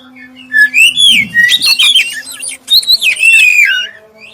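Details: A black-breasted oriental magpie-robin delivers a clear lure song that prompts others of its kind to sing: one continuous run of looping, fluty whistles rising and falling, after a brief low hum and muffled rustle.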